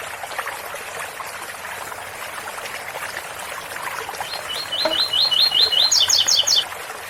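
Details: Water fountain splashing for several seconds before a double-collared seedeater gives its 8x4 - 7x4 style song: a fast run of about seven high repeated notes ending in four higher buzzy notes.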